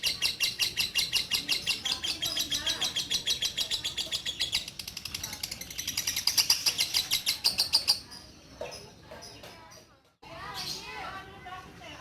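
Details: Female orange-bellied leafbird kept in a cage, once a breeding hen, now singing tirelessly after her male died. Eight seconds of quick, high, rattling repeated notes, then softer scattered twitters and chirps.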